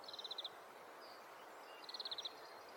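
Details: Oriental greenfinch, breeding-season male, in a Hokkaido neighbourhood: two short bursts of rapid, evenly spaced high ticking notes, each about half a second, over steady soft background hiss.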